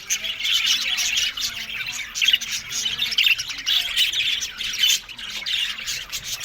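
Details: Colony of budgerigars in an aviary: dense, overlapping high chirps and squawky warbles in continuous chatter, with brighter bursts near the middle and end.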